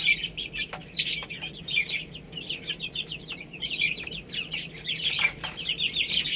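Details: Chicks eating rice call with clear, repeated descending peeps, several each second, overlapping from a group of birds, with occasional sharp clicks from pecking.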